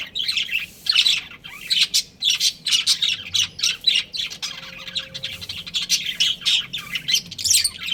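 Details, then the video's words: Pet budgerigars kept as a breeding pair, chirping in loud quick high bursts, roughly two or three per second, with a brief steady tone in the background. "Adorable Budgies Chirping Sounds"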